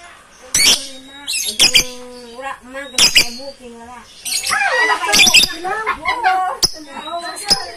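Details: Numerous lovebirds in loud chorus, filmed on a phone camera; shrill squawks alternate with chattering warbled phrases and whistled notes, over a lower steady tone, dense and noisy throughout.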